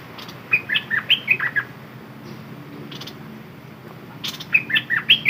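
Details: Red-whiskered bulbul used as a decoy bird, singing short bursts of liquid, bubbly warbled notes, with a pause between two phrases, over steady background hiss.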